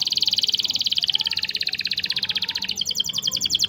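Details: Canary training song for young or silent canaries: a very fast, continuous trill of rapidly repeated high notes, shifting in tone partway through.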